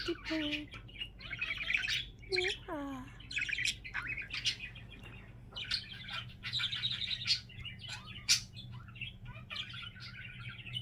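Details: Pet budgerigar at home, one of several kept birds, giving its signature sound: falling whistled slurs and drawn-down tones, then steady scratchy, chattering warble with quick chirps throughout; a low electrical hum underneath.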